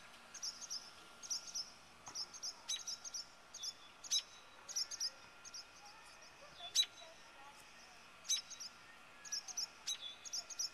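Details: Two very defensive barn swallows give sharp, high chirping alarm notes in quick bursts about once a second while defending their nest from a person standing close, over a faint steady hum.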